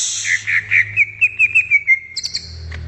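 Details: Greater green leafbird singing in the wild: a quick accelerating series of about ten sharp whistled notes on one pitch, ending in a couple of higher chirps.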